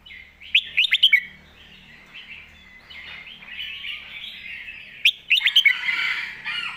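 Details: Model song of a red-whiskered bulbul kept in a cage: two bursts of rapid, bright whistled notes several seconds apart, separated by soft warbling and background bird chatter, with a faint low hum.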